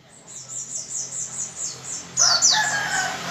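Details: White-eye 'gacor' song, aimed at making other white-eyes sing. A soft series of even high notes, repeated about four times a second, gives way to louder sharp descending whistles over background noise.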